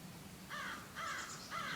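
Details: On a June 2013 morning outdoors among elm trees, with wrens calling nearby, a crow gives three harsh, nasal caws about half a second apart over a quiet outdoor background.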